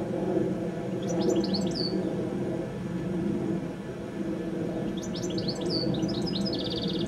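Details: Goldfinch singing an evening song high up on a telephone wire just before sunset: two bursts of bright, twittering, high chirps and short slurred whistles, with a steady low rumble of background noise throughout.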